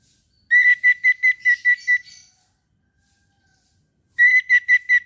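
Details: Morning song of an orange-headed thrush: a rapid series of about eight clipped, same-pitched whistled notes, a silent gap, then another burst of five notes.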